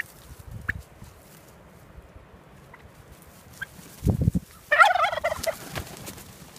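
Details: Heritage turkeys walking with their keepers through a pine grove toward pasture; a loud, brief rattling gobble burst near the end, preceded by a few faint soft chirps and dull thumping footsteps.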